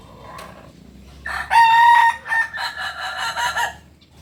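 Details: Kukuak Balenggek rooster, a singing chicken native to Solok, West Sumatra, Indonesia, gives one long crow. A faint lead-in is followed by a loud, drawn-out, harmonic note and then several shorter stepped phrases that trail off.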